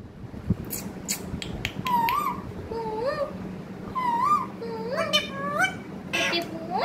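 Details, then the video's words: A talking pet parrot gives a string of short, tonal, rising whistled calls, several with a wavering upward slide, over steady room noise and a low hum. "Pyaari baate karne wala tota"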